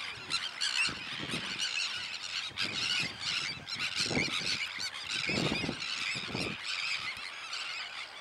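Sandwich terns call over one another in a dense, continuous din of harsh, grating, high-pitched cries, the rasping notes overlapping without pause.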